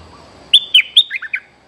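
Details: Bulbul luring song, its voice described as that of a feisty young bird: six loud, clear whistled notes, the first three high and sharp, the last three lower and slurred, over faint background hiss.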